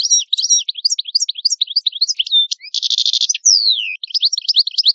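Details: Continuous song of an Italian European goldfinch (cardellino): lively high twittering notes, a dense buzzing trill, a long falling slurred whistle, then more quick twitters.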